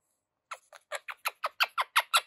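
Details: Young pet Quaker parrot chattering while excited: a rapid, steady series of about ten harsh, scratchy squawk notes, roughly six or seven per second, growing louder toward the end.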